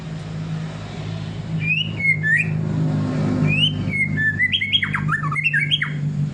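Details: White-rumped shama singing in the ngelowo style: bursts of clear, whistled notes that slide up and down and include some harsher squawk-like notes. One short phrase comes near two seconds, then a longer, more varied run. A steady low engine-like hum runs underneath.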